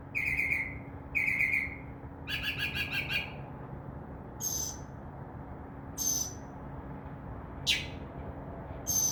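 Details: Northern mockingbird mimicking other sounds from a tree outside a window at night: two harsh notes, a rapid rattling phrase, then several sharp high descending chips spaced over seconds, steady low hum behind.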